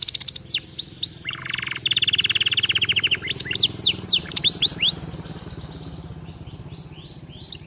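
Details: Canary (kenari) singing energetically, kept as aviary birds: rapid chirps, a fast even rattling trill lasting about a second and a half, then sweeping high whistled notes, the song fading toward the end with background hiss.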